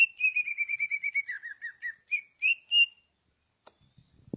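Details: Greater green leafbird from Ngawi, East Java, described as a vigorous national-champion singer: a run of quick whistled notes slides gradually downward, then two louder rising whistles, followed by silence and a few faint knocks.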